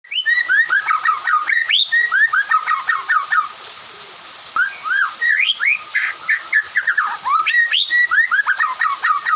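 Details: White-rumped shama singing in the afternoon while other birds answer; loud whistled phrases of rapid slurred notes, rising and falling, repeated in long bursts with a short pause midway.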